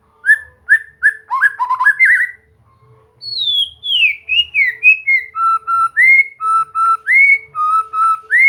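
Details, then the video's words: White-rumped shama (murai batu) singing in a relaxed training recording: quick clipped notes, a brief pause, then a descending high whistle and a series of clear paired whistles repeated at a steady pace over a faint low hum. "Latihan santai untuk murai batu AGAR MAU BUNYI dan GACOR"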